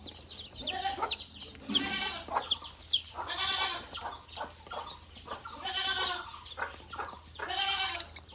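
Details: {'caption': 'Budgerigars in a cage shared with a rabbit, mixing quick high whistled sweeps with nasal, buzzy chattering calls in bursts every second or so.'}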